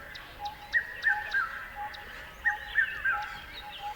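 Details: Two groups of three quick falling chirps, roughly a second and a half apart, over a steady hum with soft ticking.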